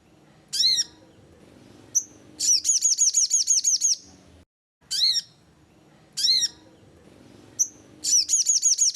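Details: Sogon call meant as a lure to make lazy birds sing: isolated sharp arched chirps, then fast strings of high repeated tweets, the pattern cycling twice with quiet gaps.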